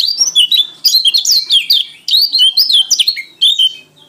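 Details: Lombok/NTT white-eye in full ngalas song, singing gacor: a nonstop stream of bright, high-pitched twitters and quick rising-falling whistled phrases, each burst a fraction of a second long and tightly strung together.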